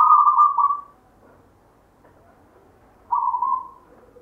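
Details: Local zebra dove with a natural 'gayer' rhythmic voice, a grandfather's legacy, gives two smooth coo phrases about three seconds apart, each loud at the start and trailing off softly.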